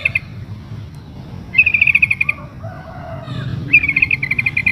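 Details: Female sooty-headed bulbul in breeding condition calling to a male: three bursts of fast, even chattering notes, bright and high, each lasting about a second, with softer lower whistles between them over a low background rumble.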